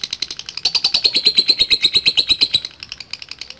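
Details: Long ngekek trill from a lovebird, a fast rattling series of high, evenly spaced pulses that swells, holds steady for about two seconds, then fades into looser chatter.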